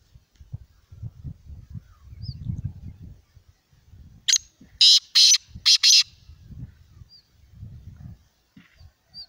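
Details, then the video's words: Black francolin (kala teetar) calling: after several seconds of low rumbling background noise, four harsh, buzzy, broadband notes burst out in quick succession, then quiet with faint low thuds. "Kala Teetar ki awaz | Black Francolin ki voice"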